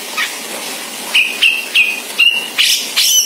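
A grey-cheeked bulbul gives a quick run of short, hoarse, buzzy notes about three per second, mid-high in pitch and growing harsher toward the end.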